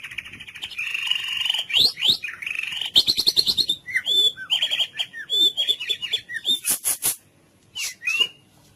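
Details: White-rumped shama, full cililin song for training other birds: steady high whistles give way to rapid trills, then a series of short upward and downward slurred whistles and a few very high piercing notes.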